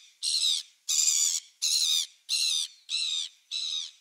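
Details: Gulls on 27 December 2017 calling in a regular string of six rough, buzzy squawks, each about half a second long, spaced roughly 0.65 seconds apart.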